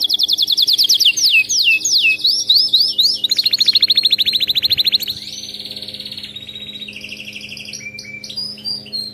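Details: Canary singing, for training other canaries: strong descending whistled slurs, then a rapid buzzy high trill, followed by quieter pulsed phrases and brief chirps.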